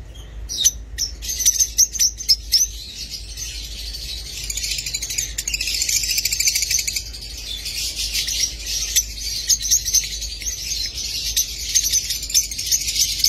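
Lovebirds chatter in a dense, continuous stream of shrill, high chirps and squeaks, with sharper bursts near the start and a steady busy twitter throughout.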